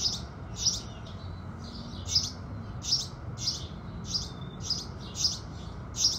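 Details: Sunrise chirping of house sparrows: regular short bright notes about every half second, with fainter chirps between them and a low background drone.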